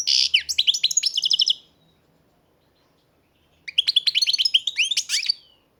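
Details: Captive-bred European goldfinch giving a quick, bright twittering phrase of rising tinkling notes, pausing about two seconds, then repeating a similar jangling burst of song.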